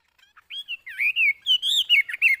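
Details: Caged Chinese hwamei kept for sale, singing a bright run of whistled, slurred phrases that rise and fall, starting with a few soft notes before louder warbling bursts.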